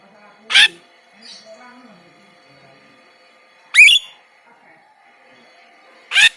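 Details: Three loud, spaced notes from a kept white-shouldered starling used as a master song for songbirds, the middle one a sharp rising whistle, with faint softer sounds between.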